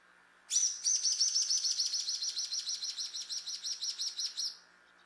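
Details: A Social Flycatcher perched on a house gate in urban São Miguel do Iguaçu, Paraná, Brazil, gives a fast, high chattering series of about twenty sharp notes over four seconds, over a faint steady hum.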